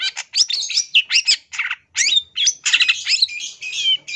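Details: Long-tailed shrike singing for songbird training: a dense, rapid jumble of scratchy, high chirps and short twisting whistles, nearly continuous, with a few brief gaps.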